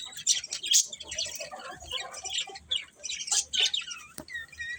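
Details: Budgerigars chatter in a busier, patchier stretch of sharp chirps, scratchy warbles and short squawks, some notes clipped and whistled, with brief quiet gaps between bursts.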